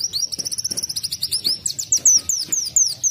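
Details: Canary-like sunbird song, a dense rapid trill of high, thin notes that slows into longer slurred, rising and falling whistles.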